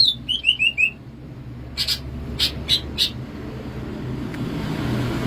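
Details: Wild greater green leafbird from Banyuwangi, Alas Purwo, Indonesia, in bebeciu style: a run of clear whistled notes sliding downward, then a few short buzzy bursts over steady low rumbling background noise.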